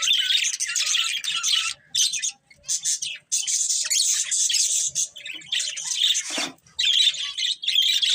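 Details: Budgerigars chattering as they eat, giving bursts of scratchy, high warbling and squawky chirps separated by short pauses, with faint low rustling between the phrases.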